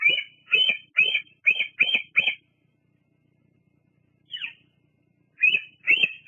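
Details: Female bald eagle at her nest at Fraser Point on a July 2022 evening, picked up by a nest live camera while she preens and perches: a fast run of six harsh, high piping notes, a lone drooping note after a pause, then two more notes.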